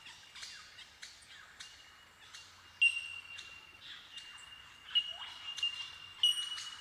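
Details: Colony of bell miners, bellbirds of the Australian bush, calling in eucalyptus forest; incessant high ringing 'tink' notes over a sustained pure tone, several loud clinks standing out amid overlapping chimes.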